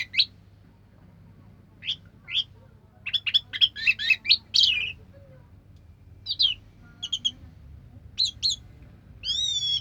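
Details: Orange-headed thrush (anis merah) giving sharp, scattered chips and short twisting notes in clusters separated by pauses, with a wavering whistled phrase at the end; quiet low hum underneath.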